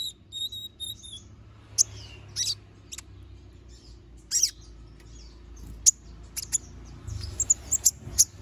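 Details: Little spiderhunter singing sharply: isolated, very high, thin chirps and short squeaky bursts scattered irregularly, ending in a tighter cluster of rapid piercing notes, over a faint low hum.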